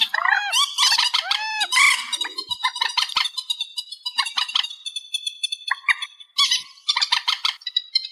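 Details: Amplified reed warbler song. It begins with loud, arched, nasal slurs and harsh bursts, then shifts to a long, thin, high chatter of rapid repeated notes.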